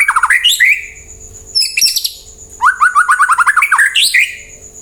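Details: White-rumped shama song played as a lure to make other birds reply and sing: rapid rising and falling whistled phrases and a fast run of repeated notes, over a faint steady high-pitched tone.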